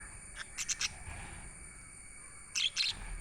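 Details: Budgerigars chirping: two bursts of short, bright chirps, one near the start and one near the end, over a steady high hiss with quiet gaps between.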